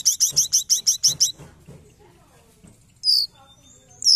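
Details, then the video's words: Trapping lure of a forktail: about eight rapid buzzy chattering notes, then near silence broken by a loud sharp descending whistle and a final high note. "Pancingan Ampuh Tledekan gunung"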